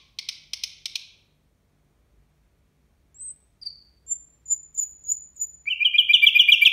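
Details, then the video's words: Nightingale singing at New Year: a few scratchy clicks, a pause, a series of pure high whistles repeated about every third of a second, then a loud rapid buzzy trill. "Соловей поёт на новый год"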